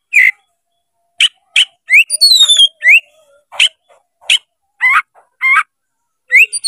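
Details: Oriental magpie-robin (kacer) opening its tail, singing in a challenging, fight-provoking manner: separate loud whistled notes and short phrases, some rising, some sliding down, with a few chattering bursts and pauses between.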